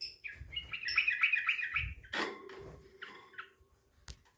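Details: A tame yellow-vented bulbul let out of its cage gives quick, bubbly chattering phrases of bright notes, several per second, with a few knocks and soft handling noises between.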